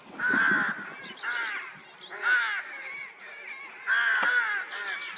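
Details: Rooks at a nest with newly hatched chicks on 16 May 2023, after a cold spring: harsh, rasping caws with strong overtones, about four loud bursts in five seconds, each dragged out and grating, with fainter calls between.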